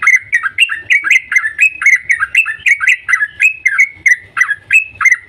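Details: Yellow-vented bulbul calling rapidly in the morning, a 'cuk cuk' call said to get other bulbuls singing: an unbroken chattering string of sharp, downslurred chirps that rise and fall throughout.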